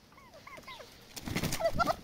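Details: Turkeys fighting for dominance; a series of short descending whistled yelps, then a louder stretch of rustling and scuffling with a few sharp squeaky notes.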